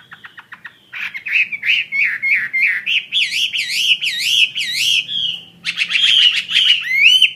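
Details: Caged Chinese hwamei kept as a fighting bird, singing: a few soft clicks, then loud, rich whistled phrases that swoop up and down about three times a second, building into bright warbled notes at the end.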